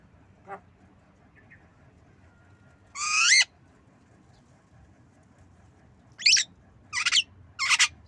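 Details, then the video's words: Captive black-winged myna learning to cough: a loud harsh rasping burst, quiet gap, then three more short harsh noisy bursts in quick succession near the end. "Jalak kebo Manggut Belajar Batuk"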